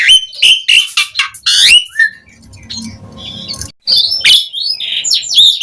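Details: Asian pied starling song used to attract answering starlings: quick squeaky whistles, a soft low churring passage, then loud chattering whistled notes.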